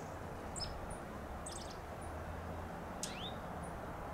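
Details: Dark-eyed junco in a vibrant Bougainvillea vine, uttering brief high chips, a rapid stuttered cluster, then a louder rising sweep, against a steady low hum.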